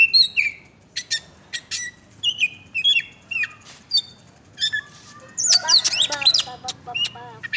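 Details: Oriental magpie-robin, described as bathing and chattering, gives short, separate whistled phrases about every half second, then a dense, excited tangle of high twittering notes toward the end.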